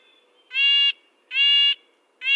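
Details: Two long, nasal, horn-like calls from a red-breasted nuthatch, spaced about a second apart, with the start of a third at the close. The background is quiet.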